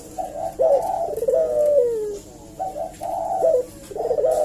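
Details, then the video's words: Eurasian collared dove cooing steadily to draw a response: rounded low coos, each ending in a drawn-out falling glide, with crisp rising notes between phrases. "suara burung puter gacor ini pancingan nyaut"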